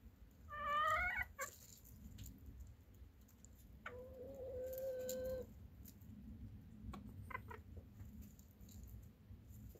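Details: Chicken with a short rising harmonic call, then after a pause a steadier, drawn-out tonal note held for about one and a half seconds, with a few clicks around it.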